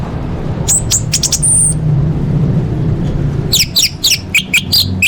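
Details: Orange-headed thrush singing a varied full-fill competition song: quick high chips and a short whistle, a pause, then a run of loud rapid high notes and warbles, with steady low background noise.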